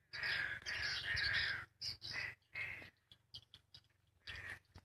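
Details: Swiftlets responding in the daytime to a played lure sound give harsh, buzzy chittering: a long rasping run, then several short scratchy bursts about a second apart, over a steady low hum.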